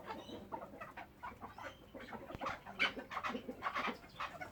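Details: Pet chukar partridge, a kept bird: harsh, clucking chuk notes in quick irregular bursts, several overlapping, loudest near the end, over a faint murmur of background noise.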